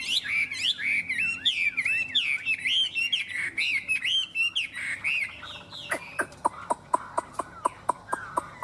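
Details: Captive Chinese hwamei from Vietnam singing a rich run of looping, slurred whistled phrases, rising and falling, then a rapid series of sharp clicking notes repeated about twice a second.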